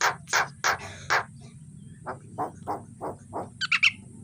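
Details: Javan myna in the morning, a training recording for birds: several loud harsh chack notes, then a quieter series of evenly spaced rough notes, ending in quick scratchy chatter.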